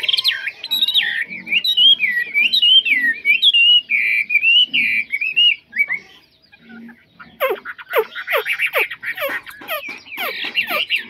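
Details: Mộc chuyền hwamei, said to sing well with no faults; a long run of wavering whistled notes, a short pause, then fast harsh descending buzzy strokes and dense scratchy chatter.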